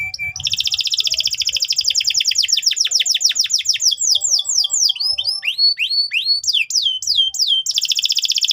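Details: Canary song played as a lure track to train young canaries. It opens with a buzzy roll, then a long run of fast descending sweeps, rising whistled notes and sharp chips, and closes with a dense rolling trill.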